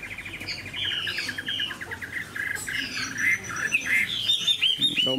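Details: Large caged Chinese hwamei standing and singing on its own: rapid chattering trills and whistled phrases over steady background hiss, ending in loud upward-sweeping whistles.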